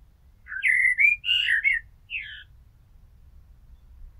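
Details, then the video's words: Blackbird song phrase with a rich, warbling whistle that rises and dips. It is followed by a brief chuckling flourish and a short slurred note, then a faint low hum and silence. "Amsel Gesang - Merle Noir Chant - Blackbird Song - Mirlo Cantando"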